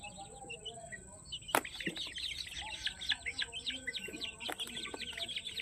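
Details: Peruvidai breed chicks at a chicken farm keep up a busy chorus of thin, falling peeps, many birds calling over one another, broken by two sharp knocks and under a constant high-pitched electrical whine.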